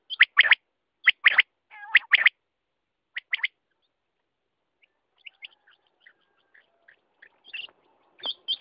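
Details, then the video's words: Quail calling with loud paired and tripled sharp notes at roughly one-second intervals, fading into faint scattered chirps and quieter calls afterwards. "Batair ka awaz"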